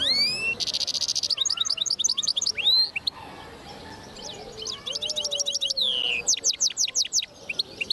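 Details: Linnet × goldfinch hybrid recorded in 2010 giving a vigorous twittering song: a buzzy trill, rows of rapid repeated chip notes, a descending slurred whistle, and further quick ticking runs.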